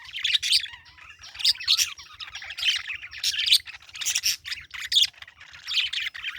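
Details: Parakeet chirps come in repeated bright bursts roughly every half second to second, scratchy and high-pitched, with short quiet breaks.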